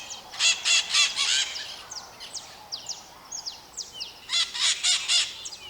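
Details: Flock of maritaca parrots screaming: a rapid run of harsh, buzzy shrieks, then softer sliding squeaks and chatter, followed by another burst of loud grating screams, calls overlapping from several birds.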